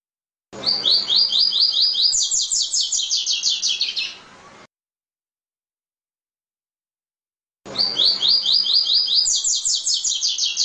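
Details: Song of a double-collared seedeater, part of a mix of five songs for stimulating kept birds: a long, steady series of rapid high notes that steps up into a higher run, given twice with a quiet gap between.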